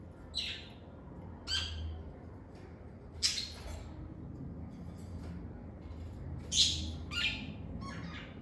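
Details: Lovebirds chirping in a calm, stress-free setting: sparse, sharp high squeaky chirps at irregular intervals, a few loud, others faint, over a low steady hum.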